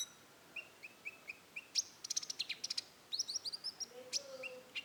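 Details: Rufous-tailed shama in roll tembak song. Evenly spaced low whistled notes lead into a dense rattling burst, then a rising run of high chirps and a faint lower whistle, closing with more short whistles.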